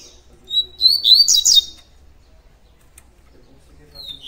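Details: Double-collared Seedeater (coleiro) singing in the tui tui song style: one bright, high twittering phrase of quick sliding whistled notes lasting about a second, then near silence, with a single thin note at the end.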